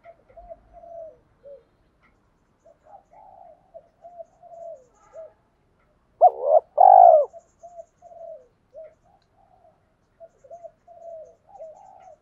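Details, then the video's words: Male and female spotted doves used to stimulate newly caught doves to coo. Many soft, low, murmuring notes surround a single loud two-part coo in the middle. "Tiếng chim cu gáy kích bổi mới hiệu quả"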